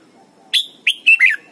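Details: Red-whiskered bulbul song played for teaching young birds to sing: a short phrase of four loud whistled notes, the first high and sharp, then slurred falling and wavering whistles around the middle pitch, over faint low background hum.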